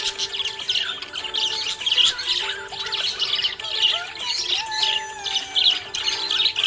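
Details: Happy budgerigar giving a continuous stream of busy, scratchy chirps and warbles, with a few rising whistled notes and a faint steady hum of other sound beneath.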